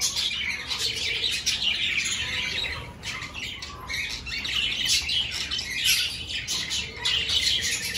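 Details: Breeding-season budgerigars in an aviary with clay nest pots. Several birds give harsh squawks mixed with chirpy warbling, forming a dense, high, overlapping chatter.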